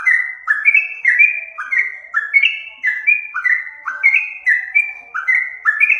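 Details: Yellow-vented bulbul lure song: chains of liquid whistled notes, each slurring downward, repeated in an even bouncing rhythm for six seconds with no other sounds.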